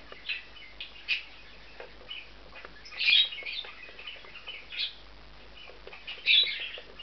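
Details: Two bonded male budgerigars taking a nest in an aviary compound: soft, scattered, scratchy chirps and warbles at low volume, with louder squeaky notes near three and six seconds.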